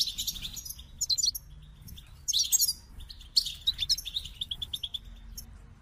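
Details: Goldfinch song in separate bursts of sparkling, chattering notes roughly every second, with quieter twitters in the gaps.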